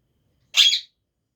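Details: Pet talking parrot gives a single short, harsh, screechy squawk of under half a second, bright and high, with silence before and after.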